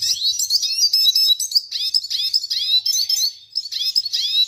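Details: Red siskin song: fast bursts of high, tinkling, downslurred twitters in phrases separated by brief pauses.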